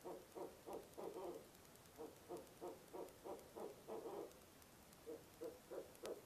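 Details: Night visit by a barred owl to its nest box in November, months before nesting: loud rapid hooting notes about three per second, grouped into surging runs, ending with a few spaced softer hoots.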